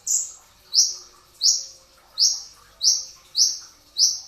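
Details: Brown-throated sunbird in 'tembakan rapat' song, recorded before dawn at sahur for bird training: seven high, shrill, clipped notes spaced at an even, quick pace.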